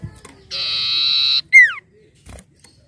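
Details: Common iora, a bird recorded for luring: a sustained harsh buzzy note of almost a second, then a single loud clear whistle sliding steeply downward, with a few faint clicks afterward.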